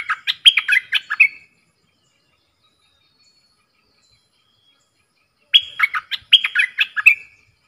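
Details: Caged bulbul singing back at wild birds, 3 October 2021: a rapid chirping, whistled phrase, about four seconds of silence, then two more similar phrases in quick succession.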